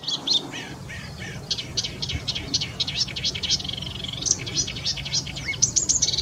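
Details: A marsh warbler pours out a dense mimicking song of rapid chattering notes, buzzy rattles and high squeaks, several per second, closing with a rising whistle and a sustained high twitter, with low hum behind.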